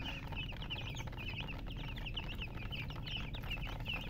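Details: Several young chicks peep continuously, rapid high squeaky chirps following one another with barely a pause, over a constant low hum and scattered faint knocks.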